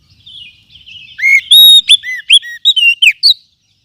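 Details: Wild forest oriental magpie-robin lure song, used to train other birds: soft warbling lead-in followed by a loud run of long level and arched whistles and short slurred notes.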